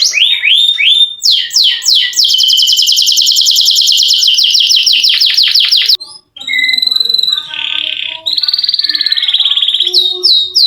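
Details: Canary rolling at length, offered to spur silent canaries to sing: descending swoops lead into a fast rolled trill of about four seconds, a short pause, then varied whistles and another roll.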